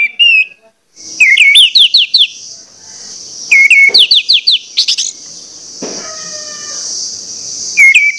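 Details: Orange-headed thrush sings a persistent provoking song aimed at other males: series of quick, repeated upslurred whistles in phrases, over a steady high-pitched hum in the background.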